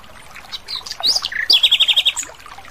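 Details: Song of a wild Asian brown flycatcher: thin, high whistles and varied chirps building into a loud phrase, then a fast trill of roughly eight repeated notes before fading.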